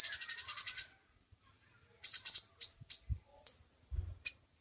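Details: Kolibri ninja sunbird used as a training recording for songbirds: a long high rattling trill, then a broken trill and scattered sharp chips, with a couple of faint low knocks.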